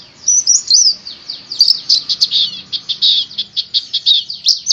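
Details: High, fast white-eye (pleci) song: a few twisting whistled notes open into a dense run of clipped, evenly spaced chirps, roughly four per second, bright and continuous to the end.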